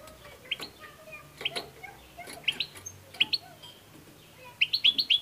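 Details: ['European goldfinch twittering: paired bright, upward-flicking chirps in short clusters, ending in a rapid run of five ringing notes.']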